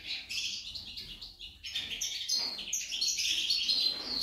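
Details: Female goldfinch singing a rapid run of high, tinkling notes and chirps that grows louder and denser in its second half.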